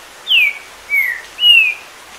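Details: Three loud, sweet whistles from a green-winged saltator, the first sweeping down steeply and the others flatter, delivered quickly against a soft wash of rain that prompts it to sing more than ten times a minute.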